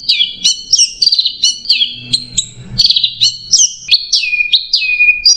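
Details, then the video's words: Orange-headed thrush singing 'macet jernih' masteran style: a dense, unbroken chain of short bright whistles, each dropping sharply, repeated about three times a second with small changes in pitch. "MASTERAN ANIS MERAH MACET JERNIH"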